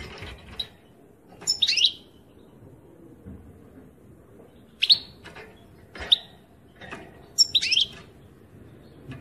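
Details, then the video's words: European goldfinch delivering loud high chirps and twittering bursts every second or two, with brief tinkling flourishes and faint clicks in between. "Chant chardonnerent"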